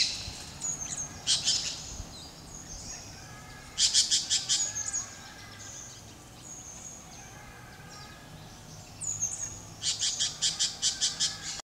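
A Yellow-headed Caracara gives three bursts of rapid, harsh, high screeching notes, six to eight per burst, with thin, high whistled notes in the quieter gaps.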